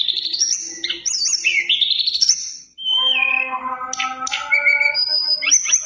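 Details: Mountain tailorbird in full, lively song with rich varied phrases, used as a lure to get other birds singing: high whistled swoops and trills, then a run of lower, evenly stacked tones with sharp high notes cutting in.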